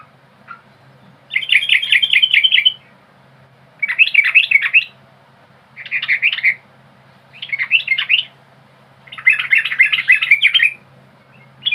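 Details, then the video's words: Lively Yellow-vented bulbul lure song made of five chattering, gurgling bursts, each about a second long and spaced by brief silences, with quick up-and-down notes and a quiet low drone behind. "TRUCUK BISU AUTO BUNYI ‼️TRUCUK GACOR GARUDA NGEPAK NGIKLUK"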